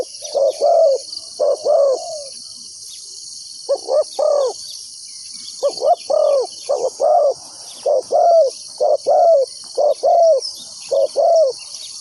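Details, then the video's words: Spotted dove used as a ground decoy to lure wild doves into a trap, giving low cooing phrases: a short coo followed by a longer, slightly falling coo, repeated in bursts about once a second, over a steady high insect drone. "chim cu mồi gáy gọi bổi"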